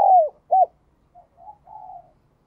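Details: Spotted dove with a 'giọng đồng kim' bell-like voice: a loud falling coo and a short rounded coo, followed by three soft, faint murmured notes.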